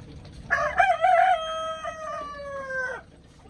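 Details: Chicken crowing: a loud, harsh opening burst, then a long sustained harmonic note that holds steady and drops slightly at the end, about two and a half seconds in all, over low background hum.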